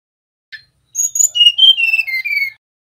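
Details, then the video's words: Male mangrove blue flycatcher: a faint short note, then high whistles dropping into a series of pure tones that step down and rise again at the end. "Suara tledekan bakau jantan nyiul"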